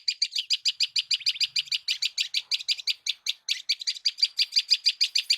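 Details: Birds chirping in the morning at a village in India: a fast, steady run of high, sharp chirps, about three per second, repeated without pause against a quiet background.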